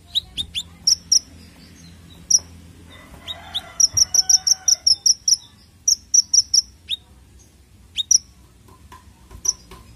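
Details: Konin bird call used as a lure for untrained birds: scattered high chips, then a quick regular run of about ten bright notes, a pause, another short series and a few sparse single chirps.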